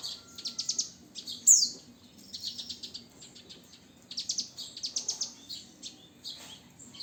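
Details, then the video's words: Nine-year-old Javan bush lark delivering rapid clusters of high, scratchy chirps and trilled notes in short phrases, with one loud downslurred whistle near the start and brief pauses between bursts over a faint low hum. "Branjangan Java Usia 9th"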